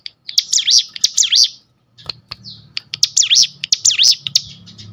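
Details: Sunda bush warbler singing full ngebrem for tutoring: two runs of rapid, high notes, each bending down then up, separated by a brief silence. A soft low hum appears in the second half.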